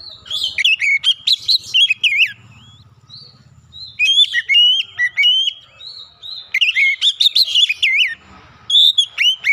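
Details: Lure song of an Oriental magpie-robin, meant to spur quiet birds into singing: three bursts of loud, varied whistles and sharp chips separated by short, quieter gaps with faint low murmuring.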